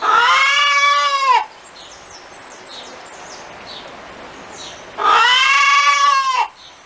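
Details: Hen on a farm giving two long, loud, nasal squawking notes with an arched pitch, each lasting over a second, with a quiet stretch between them and faint chirps in the background.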